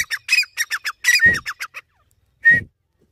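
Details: Irani teetar, a francolin, uttering a rapid run of harsh, squawky notes, then a longer ringing note, a pause, and one more loud ringing call.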